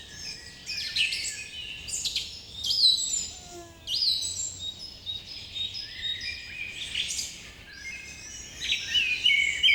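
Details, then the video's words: Morning birdsong from a crowd of birds: bursts of shrill chirps and twittering phrases rise and fall every second or two, with a brief lower whistle partway through. "Birds chirping sound effect"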